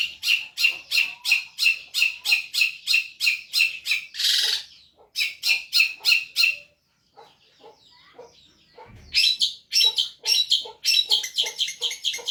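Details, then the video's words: Long-tailed shrike, gacor cendet masteran: fast series of sharp, clipped chip notes about three per second, a harsh rasp, a brief near-silent pause, then more rapid ticking chips. "MASTERAN BURUNG CENDET GACOR PARAH"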